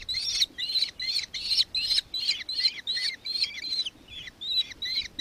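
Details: Victoria, Australia, 4 December 2024: a nankeen kestrel repeats sharp, high, two-part chattering notes about two or three per second, evenly spaced with brief gaps between bursts.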